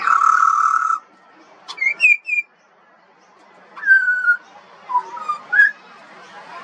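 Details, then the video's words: A juvenile pied butcherbird of Australia sings a few scattered whistles: a steady tone at the start, then brief high slurred notes, a longer falling whistle and a short rising trio of mellow notes. "Butcherbird. Bird Singing. Bird Call and Sounds"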